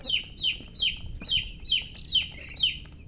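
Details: Young chickens peeping: clear, high falling chirps repeated about every half second, each slightly drawn out, over faint low background rumble.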